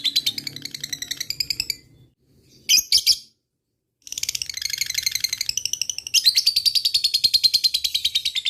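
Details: Lovebird ngekek used to provoke rival birds: bursts of fast shrill chattering trills broken by short silences, then a long sustained high rattle.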